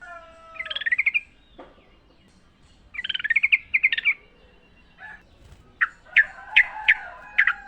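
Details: Yellow-vented bulbul in natural habitat, a recording for training caged birds: two bubbly chattering phrases, then a string of sharp, rising chip notes, with a low whistle underneath.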